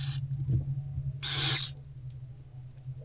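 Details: Barn owl young in a nest box, fed by the mother in daylight, February 2024: a hiss cut off at the start, then one long breathy screech, plus a soft thump, over a low droning hum.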